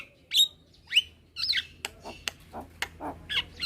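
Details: Young Javan myna calling to other mynas at midday, several answering: sharp whistled upslurs and harsh squawks, then a run of clipped broadband notes about twice a second.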